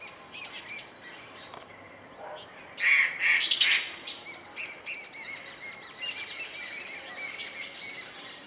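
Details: Blue magpie feeding on Himalayan wild pear in a garden near Solan gives a short burst of loud, harsh, ringing calls; softer, high chirps from other small birds run through the background.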